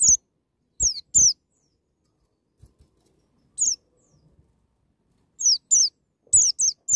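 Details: White-eye in wild "ngalas nembak" singing style, played to make young birds sing: high, sharp downslurred whistles in pairs and short clusters separated by pauses, with faint soft taps in between.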